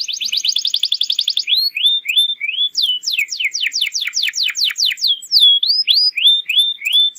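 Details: Lure song of a canary for young birds: fast buzzy trill, rising whistled slurs, a run of steep descending sweeps, then more rising whistles repeated about three per second.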